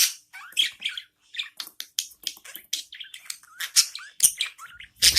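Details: A pet budgerigar mother feeding her newborn young; the chicks keep up continuous scratchy, squeaky begging chirps, closely packed and rising to sharper shrill notes at the end.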